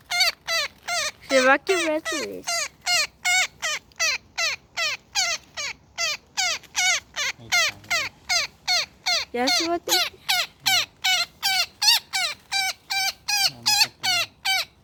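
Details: Woodpecker tangled in a net and being freed, calling nonstop with rapid, harsh, nasal squawks that each slide downward, roughly two and a half per second, with a few lower, rougher notes mixed in.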